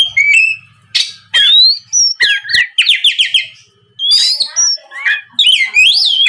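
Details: Oriental magpie-robin lure song meant to draw a reply from other magpie-robins: varied whistled slurs, rapid repeated trilled notes and scratchy bursts, with a short quiet gap midway and a faint low hum beneath.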